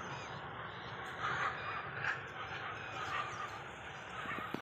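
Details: A flock of rosy starlings near Islampur, Sangli, Maharashtra, India, on 16 December 2023 chatters in a dense, steady wash of overlapping squeaks, chirps and harsh notes, with a few louder bursts rising above.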